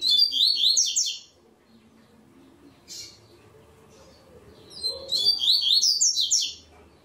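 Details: Double-collared seedeater in a web singing tournament: a quick high whistled phrase, a short faint note, then another phrase of about two seconds, with low background rumble.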